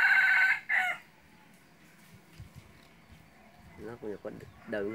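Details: Decoy red junglefowl kept for hunting gives a loud, harsh crow lasting under a second, followed by a short second burst, then quiet and low human speech.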